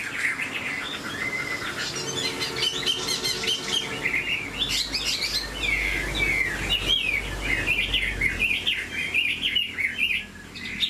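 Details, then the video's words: Captive Chinese hwamei, a large-bodied bird with a high, far-reaching song: long, rich run of varied whistles, slurred rising and falling notes and rapid trills, nearly unbroken, with a low rumble of background noise. "Họa mi dáng ngũ trường, hót cao cầu, bộ to như khướu"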